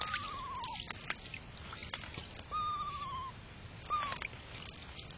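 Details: Two Screech owls, maybe an adult and a fledgling, bathing at a garden bird puddle on 11 June 2023 give three slightly descending whistled whinny tones, each under a second and near the same pitch, over repeated splashing and dripping water.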